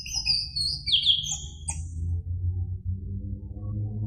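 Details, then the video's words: Orange-headed thrush phrase from a lure recording for a caged bird: a quick tumble of high whistled slurs and sharp notes lasting about two seconds, followed by a low steady hum. "PANCINGAN ANIS MERAH agar Emosi jadi NYAUT BUNYI GACOR NGEPLONG"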